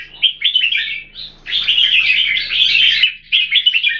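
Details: Singapore-kept caged red-whiskered bulbul pours out a rich run of chirpy whistled notes, one long tumbling phrase followed by a short fresh burst near the end.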